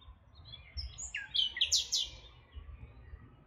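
A nightingale sings one quick phrase of rich, high notes, rising and sweeping over about a second, with a faint low rumble behind.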